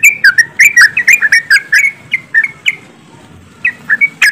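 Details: Yellow-vented bulbuls in a group give quick liquid chirps, dense at first then thinning to scattered notes with a short gap before a few more, played as lure audio for singing birds.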